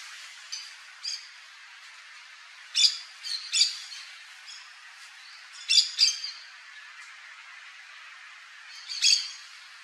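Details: Yellow-chevroned parakeet (Brotogeris chiriri) giving harsh, shrill, high squawks in short bursts, some single and some in quick pairs, spaced irregularly over ten seconds against a faint steady hiss.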